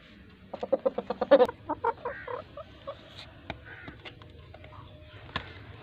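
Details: Desi hen that has just laid an egg, cackling: a quickening run of short, sharp, repeated clucks that grow louder, then a few drawn-out notes and sparse softer clucks against a quiet background.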